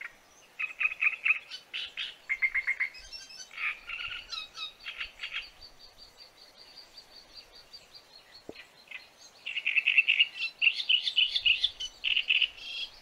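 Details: Great reed warbler in full song: loud, croaking, chattering phrases built from quick repeated notes, varying from phrase to phrase, with a quieter stretch midway before it resumes strongly.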